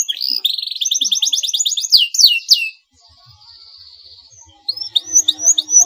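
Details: Canary singing a lure meant to draw a rival's reply: a fast, buzzy rolling trill that breaks into whistles, a brief soft steady tone, then a run of bright upslurred whistled notes.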